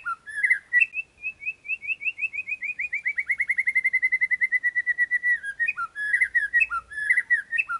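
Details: White-rumped shama song for training competition birds: an opening warble, then a long run of about thirty short whistled notes that quicken and steady, ending in varied chattering, slurred phrases.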